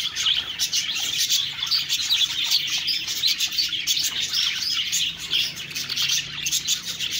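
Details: Budgerigars twitter constantly, rapid sharp chirps and rolling warbles from several birds merging into a thick high chorus, a soft low hum underneath.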